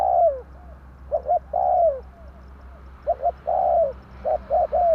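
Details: Tarik akar lure call of a spotted dove for bird trapping: loud phrases of paired short coos, then a long sliding, descending coo, repeated twice over a steady low hum.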